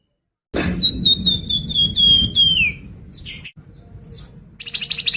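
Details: Song of a Sunda pied fantail used to coax birds into singing: a fast phrase of high whistled notes gliding lower to a downward slur, followed by soft chirps and a closing burst of buzzy chatter.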